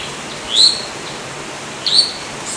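A Yellow-olive flycatcher gives two thin, high, sharply rising notes about a second and a half apart, over a faint steady hiss.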